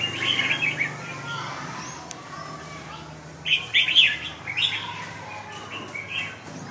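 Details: Fighting red-whiskered bulbul that has lost its tail: short bursts of lively, warbled chirps at the start and middle, separated by quieter stretches, over a low steady hum and faint voices.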